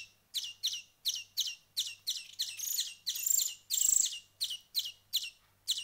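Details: Young hand-fed finches after a week of feeding give regular sharp double chirps every half-second, swelling into longer buzzy begging notes midway, over a faint steady hum.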